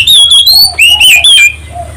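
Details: Oriental magpie-robin singing as a lure to spur other birds to sing: three loud, slurred whistled phrases, partly clipped and harsh, sliding upward and wavering, followed by a faint quiet note.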